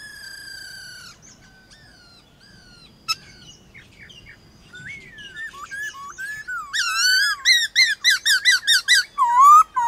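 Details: Morning singing match of White-cheeked laughingthrushes, captive and wild: a steady high whistle, scattered faint notes and a click, then a rising sequence of loud, rapid, swooping whistles that grows denser toward the end.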